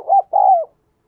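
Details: Cooing of a decoy spotted dove used to lure wild doves: a short rounded coo followed by a longer, smoothly falling mellow note, clear and close with no other sounds.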